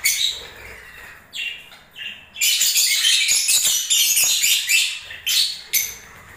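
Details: Lovebird singing during breeding season: a few short squeaky chirps build into a sustained, rapid, high twittering chatter, ending in separate sharp squeaks.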